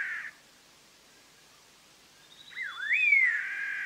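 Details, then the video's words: Collared laughingthrush from Vietnam's montane forests above 2,000 m, for trapping: a brief note ends a phrase, then after a pause comes a dipping, upswept whistle trailing into a sustained, slightly husky tone. "Chim Khướu đầu đen má xám hót hay"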